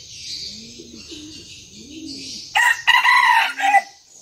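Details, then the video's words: Vietnamese decoy red junglefowl, a small bird said to crow eagerly at sunrise. A rasping, multi-part crow breaks out after low cooing calls from doves, with a high insect drone in the background. "Gà rừng mồi mini siêng gáy, cứ bình minh lên là còn hơn cả đồng hồ báo thức"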